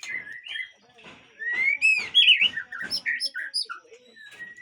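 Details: Captive Aceh white-rumped shama singing loud looping whistles that climb and dip, followed by quick chattering notes and a few fainter whistled phrases trailing off.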